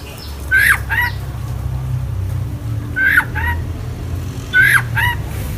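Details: Oriental magpie-robin (kacer) singing vigorously in full isian style: three short phrases of sharp downslurred whistles about two seconds apart, with a steady low rumble of traffic behind.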